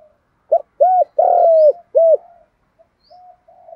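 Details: Spotted dove giving thúc and gáy gọi calls in the giọng đồng voice style, played to train newly caught birds: soft low coos, then a long loud sliding coo and a sharp closing note, with faint trailing murmurs.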